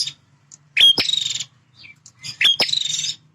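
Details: Male bar-winged prinia, a territorial bird, in very vocal song: two buzzy, rasping high trills about half a second long, each led by sharp clicks and a brief whistled note, with a faint low hum underneath.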